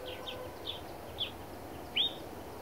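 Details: Black redstart in the Narsapur forests: a few faint high chirps, then one louder sharp downslurred note near the end, over a steady low background hum.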